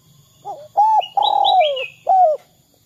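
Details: Spotted dove coo used to provoke other doves into calling: a soft lead-in, a short coo, a long downward-sliding coo and a final clipped note, with thin high chirps of a small bird overlapping.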